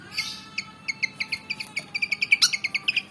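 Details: Javan fantail, a black and white bird, eager to fight, giving a rapid series of short high chips that speed up and grow louder toward the end, with a faint steady tone behind.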